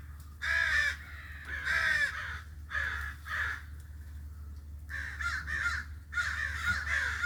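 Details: Crow giving loud raspy drawn-out caws in uneven bursts, some notes doubled, with short gaps between groups and a low steady hum underneath.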